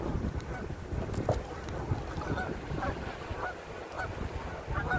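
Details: Wild Canada geese in a Canadian park during fall, giving intermittent nasal honks from the flock, partly masked by a steady low rumble of wind noise.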